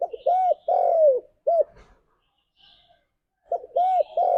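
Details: Spotted dove calling to its companions, a training lure for kept doves: one phrase of rounded coos ending in a clipped note, a short pause with faint rustle, then the next phrase starting.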